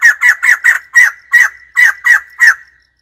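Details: White-crested laughingthrush giving a loud, harsh laughing call: about ten raspy, cackling bursts in quick succession over three seconds, each broad and strongest in the middle range, ending abruptly.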